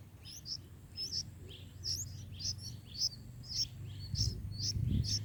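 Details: Nestling bulbuls calling while fed in their nest, a regular series of bright, high chirps repeated roughly twice a second, over a low hum with some rustling near the end.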